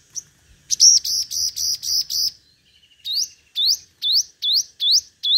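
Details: Five-coloured sunbird singing competitively as a decoy. It opens with a buzzy, evenly pulsed high trill lasting over a second, goes quiet briefly, then gives a run of sharp rising upswept notes at about two per second.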